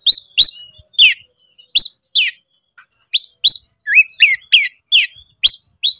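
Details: Agitated kacer (Oriental magpie-robin) in konslet style calling out a rival to fight, giving loud clear whistles and sharp chirps in separate bursts, a short pause midway, then faster strings of rising and falling notes.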